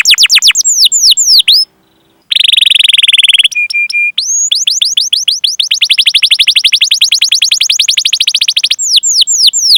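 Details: Canary singing long 'cuit cuit' phrases and rolls, a training recording meant to draw young or silent canaries into song: falling whistled notes, a short pause, a harsh buzzy burst, a steady low whistle, then a long rapid trill.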